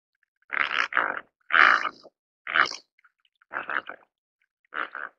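Dalmatian pelican giving about seven hoarse, grunting bursts, often in quick pairs, each under half a second, against a quiet background.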